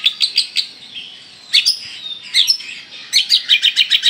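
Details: Oriental magpie-robin of the Kalimantan form giving loud, sharp chirps in short bursts, with a few spaced notes, a pause, then a rapid string of about eight quick, even chips at the end.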